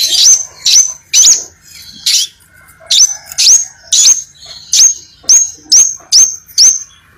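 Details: Crimson sunbird singing vigorously (gacor): a series of about twelve high, thin, sharply upslurred notes with a brief buzzy onset, repeated roughly every half second and spaced slightly unevenly, over a quiet background.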